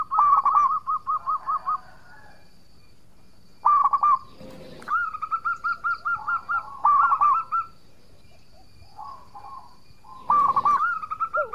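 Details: Local zebra dove singing eagerly as a lure for rival birds; repeated bursts of rapid rolling coo notes spaced by pauses, with occasional soft thumps and a faint high hiss behind.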